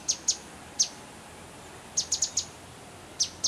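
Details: Grey-headed canary-flycatcher in a hotel garden at Manali, Himachal Pradesh, India, giving sharp high-pitched chips in loose clusters of two, one, four and two notes separated by short silent pauses.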